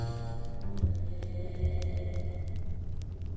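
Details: Low, droning background music with sustained tones and a deep rumble; no animal calls can be picked out.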